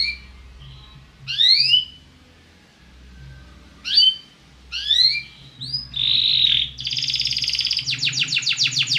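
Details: Belgian canary song meant to liven up other birds: steep rising and falling slurred phrases with brief gaps, then a steady whistled tone flowing into a long, rapid ratcheting trill.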